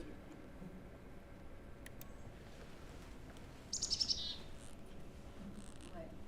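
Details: Black-capped Chickadee alarm: a brief burst of high, rapid chips, rendered "tic-tic-di", over steady low background noise, given as a sentinel warning nearby birds when a bird of prey such as a Cooper's hawk is present.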